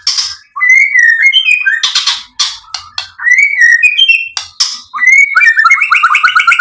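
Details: White-rumped shama (murai batu) song to provoke and excite: clear whistled phrases alternating with harsh buzzy bursts, ending in a rapid series of repeated rising whistles.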